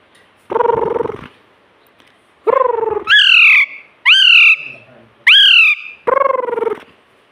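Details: Talking pet ring-necked parrot alternates low, buzzy "mummy"-like word bursts with three loud, shrill, rising squawks, each sound about half a second to a second long.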